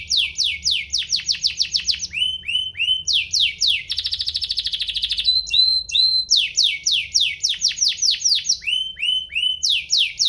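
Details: Domestic canary singing to prompt other canaries to sing, loud and full: rapid series of descending whistled sweeps, a fast buzzy rattle near four seconds, short upslurred notes, then more quick falling sweeps.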